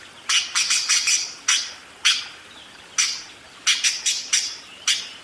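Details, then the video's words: Budgerigar ngerol song in short clusters of quick, raspy, high chirps, with single notes between and brief pauses. "SUARA BURUNG PARKIT ‼️ NGEROL DERES GACOR DOR"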